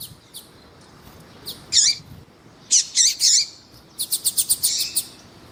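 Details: Double-collared seedeater, a song used with a calling female to stimulate males for breeders' tournaments. A few high twisting chirps, then a rapid, evenly spaced run of sharp ticking notes, over a quiet background.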